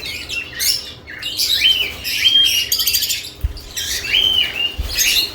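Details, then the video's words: Lovebirds around their newly added nest boxes making shrill squeaky chirps and grating squawks in quick runs, with short whistled slides, two low knocks, and a steady faint hum. "Lovebirds add nest boxes activity & chirping sounds"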